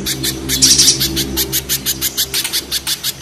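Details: Spiderhunter, mountain spiderhunter against banana spiderhunter: sharp, high, clipped chips repeated about four times a second, with a brief buzzy rattling burst early on and a steady low hum beneath.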